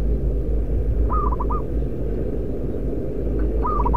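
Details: Two rapid phrases from a loud local decoy zebra dove, each opening with a longer note and tumbling into quick clipped coos, over steady low-frequency noise.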